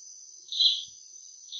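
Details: Isabela oriole (Oriolus isabellae) gives its insect- or cricket-like call: a dry, buzzy burst of about a third of a second, then a shorter buzz, over a steady high hiss.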